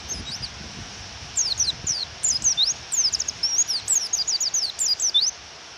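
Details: After a stretch of rain alone, a female Japanese white-eye breaks into a fast series of high, sharp downslurred chirps lasting about four seconds, meant to provoke a male to sing.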